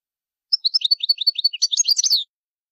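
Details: A goldfinch gives a loud territorial call: a quick run of about a dozen bright, tinkling notes, then breaks into a higher, jumbled buzzy twitter.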